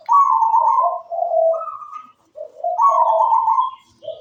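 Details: Singing local wild-type zebra dove: rolling, staccato cooing phrases that alternate higher and lower tones. There are two main bursts with a short pause between them.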